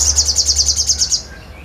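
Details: Crescent-chested babbler singing vigorously: a rapid, high, even trill of about eleven sharp notes in just over a second, then a low steady background hum.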